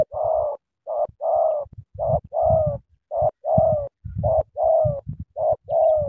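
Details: Spotted dove from Cà Mau cooing vigorously: mellow hooting notes in brisk phrases, each pairing a short coo with a longer falling one, repeated steadily, with low thumping knocks between phrases.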